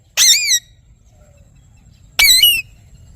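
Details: Two loud, harsh, high-pitched parrot screeches from a ringneck, two seconds apart, each about half a second long with a wavering buzzy quality, faint low background hum between.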